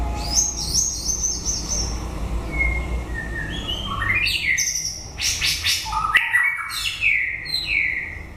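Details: White-rumped shama singing at the end of the breeding season: a rich, varied phrase of high clear whistles, buzzy trills and sweeping notes, shifting in pitch from note to note, over a low steady rumble of background noise.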